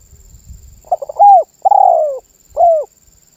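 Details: Vigorous cooing from a spotted dove, whose song reportedly gets other birds joining in: after low rumbling, a few staccato notes lead into a falling coo, a long vibrating coo and one final clear coo.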